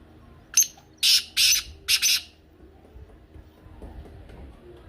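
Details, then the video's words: Black francolin (kala teetar) call, used to get a pet francolin calling: a brisk series of five harsh, scratchy notes within about two seconds, the last pair run together, then low background murmur. "کالا تیتر کی بولتی آواز سن کر تیتر مست ہو جائے"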